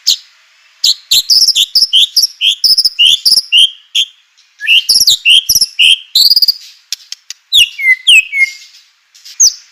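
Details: White-rumped shama singing, meant to provoke other shamas to answer: a busy, varied phrase of quick high chirps and whistled slurs in rapid bursts, separated by short pauses, with a few downward-sweeping whistles near the end.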